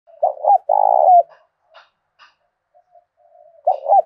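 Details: Spotted dove used as a decoy bird, singing the 'thổ đồng' voice style of southern Vietnam to provoke rivals to fight: a quick stuttered double coo run straight into a long buzzy coo, then quiet murmurs before the phrase starts again.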